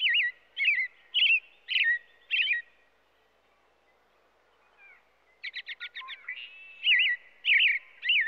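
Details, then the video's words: Song of an American robin: loud whistled phrases with sharp rising-falling notes repeated about twice a second, a short silence, then a quick run of high chips before the caroling resumes. "American Robin sounds | American Robin singing"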